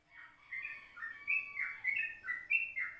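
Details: Yellow-vented bulbul in a morning recording at 04:30, intended as a lure for other birds: lively chains of clear whistled notes stepping up and down, quieter at first and then steady.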